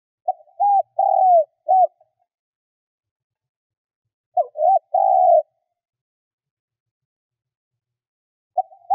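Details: Vietnamese decoy spotted dove, its song used to draw in wild birds. Low, soft cooing phrases of three to four notes, each with a longer drawn middle coo, repeated about every four seconds with quiet gaps between.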